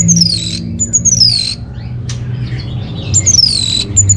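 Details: Orange-headed thrush, a caged bird in Bali, song played as a lure and master song: high whistled phrases sliding downward, repeated in bursts, over a steady low hum.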